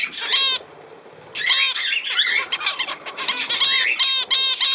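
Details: Budgerigar mixing harsh, nasal, harmonic squawks with fast, scratchy chattering and squeaks, the squawks coming in short bursts at the start and again near the end.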